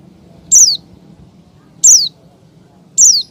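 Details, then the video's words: Female Oriental white-eye calling to the male. Three clear, loud, very high notes, each a quick descending slur, spaced more than a second apart over near silence. "SUARA CALL PLECI BETINA MEMANGGIL JANTAN"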